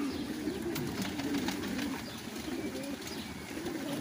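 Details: Fancy pigeons on a large farm in Qatar coo steadily, low burbling phrases repeating and overlapping, accompanied by scattered light clicks and a soft background hum.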